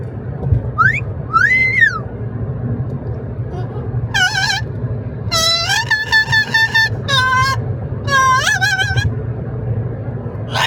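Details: A talking parrot on a roughly 10-minute car ride gives two rising whistles, then a run of loud, harsh, nasal "REHHHH" squawks and talk-like bursts over the steady rumble of the moving car.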